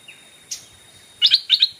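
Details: Stripe-throated Bulbul kept as a decoy, calling wild birds in: a short, thin upslur, then two paired bursts of bright, rattling chatter in quick succession.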